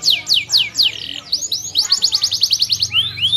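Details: Canary song: fast series of high downward-sweeping whistled notes, then a buzzy rattle, then a quick rapid trill of rising-falling notes ending in two slurred whistles; a faint low hum underneath.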